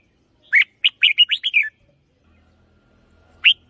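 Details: Red-whiskered bulbul singing a luring song, doubled: a crisp run of six cheerful, warbled whistles in about one second, followed by silence and one more loud whistled note.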